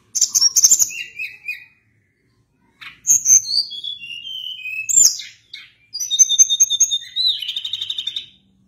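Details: Sunda blue robin, locally tledekan gunung, singing a long rolling song: high whistles, descending slurred phrases, a sustained steady whistle and a fast rattling trill, with clean silences between bursts.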